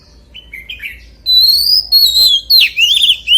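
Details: Oriental magpie-robin in energetic 'forest voice' song: quiet warbled notes, then strong, drawn-out whistles that glide and bend, ending in sharp, falling phrases.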